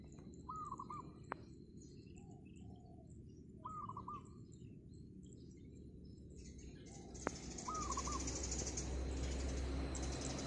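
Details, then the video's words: Morning song of a wild zebra dove perched on a rooftop: three brief, soft, rolling coo phrases, each a quick run of stuttering notes, spaced about three seconds apart, with faint chirps of other birds and low background hum. "GACOR!!! PERKUTUT LIAR DI ATAS GENTENG"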